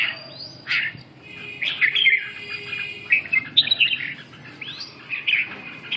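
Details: Red-whiskered bulbul giving bright, bubbling phrases, some with sharp whistled accents, in a nearly continuous stream of short notes over a faint low hum.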